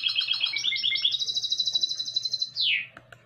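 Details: Goldfinch-canary hybrid song recorded in 2020: choppy twittered phrases give way to a smooth high rapid trill, ending in a long loud note that slides steeply downward, then brief soft chips.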